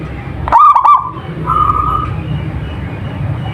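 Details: Local zebra dove in active song, used to draw other doves into calling: one loud, rapidly stuttered coo phrase with several pulses, then a steady drawn-out tone, over low continuous noise.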